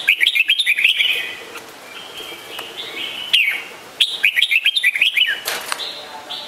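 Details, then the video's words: Red-whiskered bulbul delivering two chattering bursts of quick, bubbly whistled notes, each about a second long, with a single slurred chirp between them and an echoing ring. "นกปรอดหัวโขน - Red-whiskered Bulbul call"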